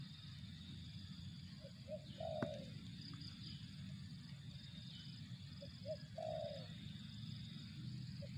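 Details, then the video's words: Spotted dove giving two quieter coo phrases, each of brief soft notes ending in a longer throaty coo, set against a constant low hum and a shrill high background drone. "suara burung tekukur"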